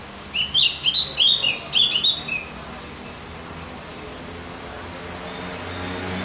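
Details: High, hurried chattering warble of a Javan grey-throated white-eye, lasting about two seconds before quiet returns; the singing is intended to stimulate other birds.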